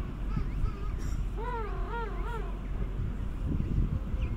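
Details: King penguin courtship and mating on South Georgia, January 2019; a clear wavering, trumpet-like call with stacked harmonics rises and falls in several pulses mid-clip, with other colony calls and low wind noise around it.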